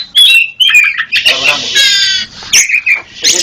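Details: Local East Java black-chested Oriental magpie-robin, masteran recording: a few quick whistled slurs, then a long harsh grating rasp, followed by short sharp whistles.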